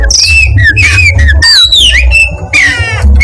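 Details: Oriental magpie-robin, black-breasted East Java race, giving long level whistles and a sliding descending note, ending in a buzzy rasping burst, all above a persistent low hum.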